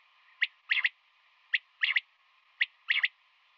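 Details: Female common quail calling in the morning: a single sharp note, then a fast triplet of clipped notes. The pattern repeats about every second over a faint steady hum.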